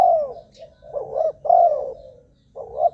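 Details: A spotted dove coos for luring wild birds. Mellow, low notes are given as three drawn-out falling phrases within three seconds, the middle one loudest.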